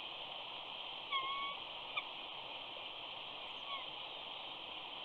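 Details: Female eagle whining on the nest at Big Bear during the morning switch on 14 April 2019, as the male lands and takes over incubation while an eaglet hatches; a brief thin whistled whine, then a fainter one, over steady hiss.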